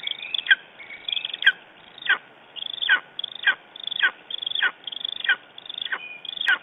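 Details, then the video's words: Lesser spotted eagle calling in the morning in Estonia on 9 June 2011: a steady run of sharp, high yelps, each dropping steeply in pitch, repeated roughly every half to two-thirds of a second, with a faint steady hum behind. "Lesser Spotted Eagle Estonia - Talking in the morninig"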